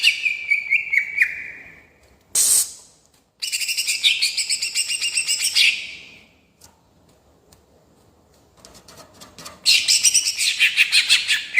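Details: Greater green leafbird in a rolling song style for provoking rival birds: a falling whistle, a sharp noisy burst, then long dense rapid chattering, a lull of soft notes and another vigorous chattering phrase.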